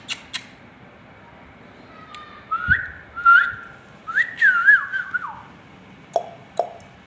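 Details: Ringneck parrot giving short rising whistles that build into a longer trilled, wavering whistle phrase, with a few clicks before and after, in a small room.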